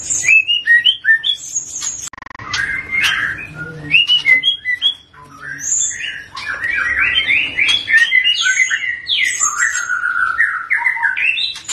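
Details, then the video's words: A young Medan white-rumped shama, still a juvenile yet already singing freely, pours out a rich, varied run of clear whistles and rapid chattering phrases, rising and falling without pause, over a faint low hum. "Murai medan masih paud ini sudah ngeplong gacor"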